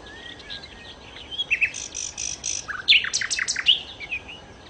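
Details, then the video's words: Nightingale (sikatan londo) song with buzzy, harsh notes followed by a cluster of loud, descending slurred whistles and chips. "kicau Sikata Londo( Nightingale Birds )-Kicau Burung"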